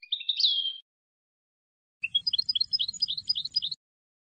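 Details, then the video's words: Tunisian European goldfinch singing a Sfax song phrase for tutoring: a wavering, rising nasal note, a pause, then a quick jangling twitter of high chirps over a faint low hum. "الحسون التونسي, طرقة حسون صفاقس للتصنيت"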